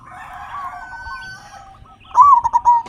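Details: Captive local zebra dove song played as a lure for other doves: soft overlapping trills from several birds, then one loud burst of fast stuttered coos.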